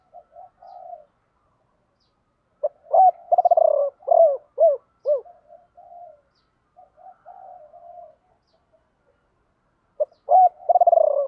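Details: Captive decoy spotted dove singing its 'ba hậu' lure song, known to some as 'bổ ba'. A coo phrase with a rolled trill and three falling hoots starts, soft murmured notes fill the gap, then the phrase restarts.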